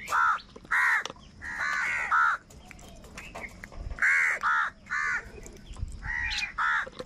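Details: Crows fighting for food, angry and loud: harsh, hoarse caws in short bursts of two or three, sometimes overlapping, with quieter gaps and light background noise between them.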